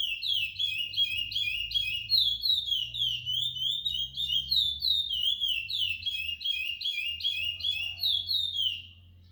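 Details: Ten-month-old captive-bred chestnut-bellied seed finch, the brown form known in Brazil as curió, singing the encanto style: a long, fast string of sliding whistled notes about three per second, over a low steady hum.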